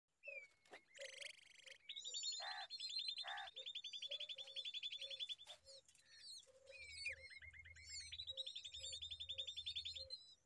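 Common babbler chicks give long, shrill, buzzy trills and squeaky chirps that come in rapid bursts, over a steady low ticking pulse and faint rumbling in the background.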